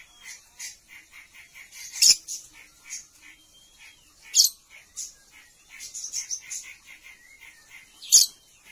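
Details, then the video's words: Male Oriental magpie-robin in captivity courting a female for mating: short chirped notes repeated in quick runs, a few slurred whistles, and three loud sharp cracking bursts spaced a few seconds apart. "Beginilah Kalo Burung KACER Mau Kawin | Ternak Burung Kacer - Magpie-robin birds mating"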